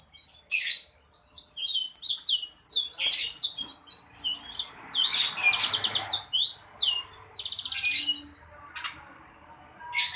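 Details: Sanger bird in lively, nonstop song: dense runs of high, piercing chirps, downward-sweeping whistles and scratchy rattling trills, delivered in fast clusters over about ten seconds with only short pauses; a soft rustling noise in the background.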